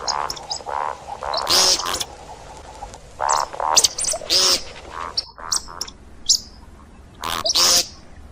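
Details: See-see partridge call for hunting: groups of rough, buzzy mid-pitched notes mixed with piercing high squeals, bunched into bursts with a clear pause near the middle.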